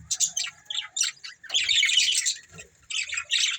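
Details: A budgie breeding pair gives choppy bursts of high chirps and harsh chatter, a louder sustained warble in the middle, with short quiet gaps between phrases.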